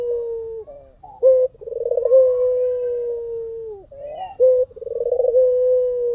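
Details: White dove singing vigorously, used to lure other birds. Deep, prolonged coos hold a steady low pitch for nearly two seconds, each introduced by a short abrupt note and a quick throbbing roll.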